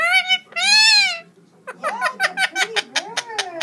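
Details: Indian ringneck parakeet singing: a wavering, high whistled phrase, then a fast series of sharp clicks and short chirps, with a person talking softly in the background.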